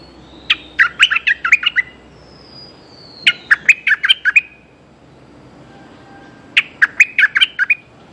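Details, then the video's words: Calling a mate, a streak-eared bulbul repeats three phrases of fast, bouncing chirps, about every three seconds, with a faint thin sliding whistle in the background. "เสียงนกดอกแตงEp.181จ้าวแบงค์เรียกคู่!! Suara pikat merbah lekir"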